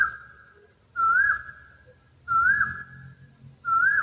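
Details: Owl producing loud, close whistles, each with a wavering rise and fall before holding steady, repeated about every one and a third seconds with soft low rumble underneath.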